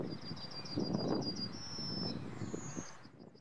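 A male yellowhammer sings a quick run of high, thin, repeated notes ending in a drawn-out wheeze and a higher held note, over a low rumble of wind or traffic.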